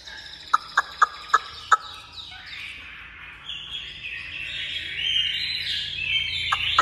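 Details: Tame captive Chinese hwamei, kept free like a chicken and hand-fed, singing after eating: a few sharp ticks, then a faint, rambling warbled song of high varied phrases with a steady background hiss.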